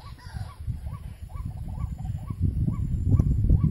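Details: Kreo padi or white-breasted waterhen near a bird trap, uttering loud, nasal, hooked calls about four per second, with constant low-pitched background rumble and a brief knock toward the end.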